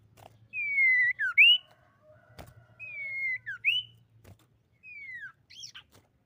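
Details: Common iora song played to lure other birds into singing: repeated phrases of a long slightly falling whistle then a quick down-up slurred note, given three times with short pauses.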